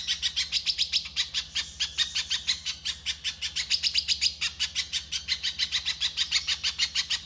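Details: Rapid, harsh song of a little spiderhunter used as a training master: dense series of sharp, chattering chirps at roughly five per second, continuous and slightly accelerating midway, over a faint steady low hum.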